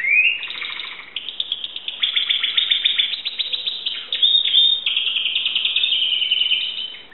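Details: Greek Timbrado canary, 2009, pouring out unbroken song of rolling trills, metallic rattles and fast pulsed phrases with hardly a pause.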